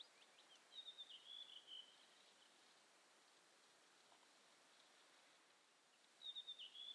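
Western yellow wagtail giving thin, high, slightly buzzy call notes in two short bursts, at the start and end, over a steady background hiss.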